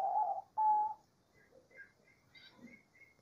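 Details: Diamond dove in the wild singing a pair of gentle, level coos, the second note cleaner and smoother, followed by faint, scattered chirps from other birds.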